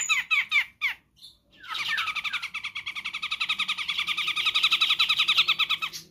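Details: Grey-cheeked bulbul (Alophoixus bres), Sumatran, song recording used for bird training/lure: a few harsh chirps, then a long fast buzzy chatter of repeated notes, in a quiet indoor setting.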